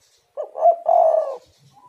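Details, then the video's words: Spotted dove call used as a lure to start other doves calling: one low, mellow coo phrase, a short rising note then a longer steady purring coo, in a quiet setting. "tekukur super gacor pancingan untuk lawan malas bunyi"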